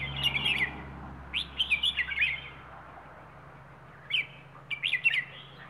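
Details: Wild bird from Rayong, Thailand, singing the song style called plai ho: short bursts of jumbled high warbled notes separated by pauses, over a steady low hum.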